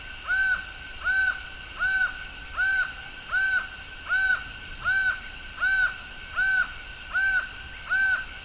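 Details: Before dawn on 27 October 2023 in Brasília, Brazil, a laughing falcon sings, repeating loud, arched, nasal notes, about eleven in eight seconds at a steady pace, over a constant high insect drone.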